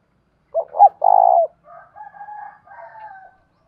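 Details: Spotted dove decoy calling to entice wild doves: one clear three-part coo, two brief notes then a sustained one. Thin, higher whistles from another bird trail after it.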